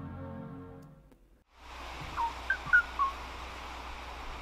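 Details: Kauaʻi ʻōʻō on Kauaʻi, recorded in the 1970s when fewer than 40 remained: four short, clear, flute-like whistles in quick succession over steady tape hiss, after a brief passage of soft music.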